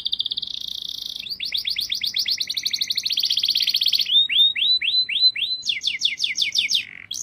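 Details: Canary singing: loud, fast trilled phrases of repeated high notes, shifting between buzzy rolls and sweeping whistled slurs, each tour lasting about a second, in a clean recording with no other sounds.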